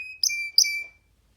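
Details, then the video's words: Young free canary on a hand gives a thin steady whistle with two short buzzy bursts. "Canary singing freely on sitting on d hand"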